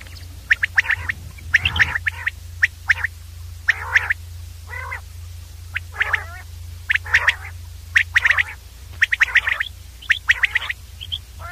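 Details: Common Quail, known locally as batir, giving a long run of crisp triple-note calls mixed with raspy, nasal notes, all closely spaced over a low constant background hum.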